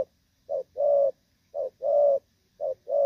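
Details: Spotted dove of the Thổ Pha kind, moulting, 3/6/2024: three rapid gù phrases, each a short note before a longer level coo, spaced about one second apart in a quiet setting.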